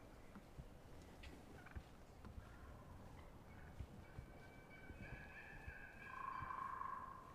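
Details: Wild turkeys in the spring woods at morning, hens tree yelping before pitching down, with gobblers nearby; a rough, rattling harmonic call swells late and grows louder, over steady hiss with scattered clicks and thumps.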